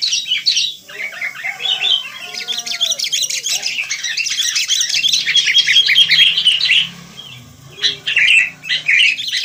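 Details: Wild sooty-headed bulbuls in a lively chorus: dense, busy chattering and squeaky chirps crowd together, with brief pauses near the end before the bright twittering picks up again.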